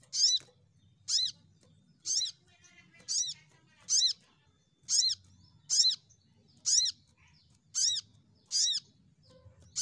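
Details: ['Lure call of the crimson sunbird to make birds sing: a steady series of high, harsh downswept notes, each with an arched lower tone, repeated roughly every second.']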